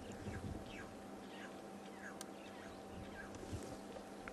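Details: Red-billed Oxpecker at sunset on 17 May 2016 in Sabi Sand, near buffalo bathing in water, giving short, harsh, downslurred calls about every half second; the call often signals buffalo nearby. A man talks over a steady electrical hum.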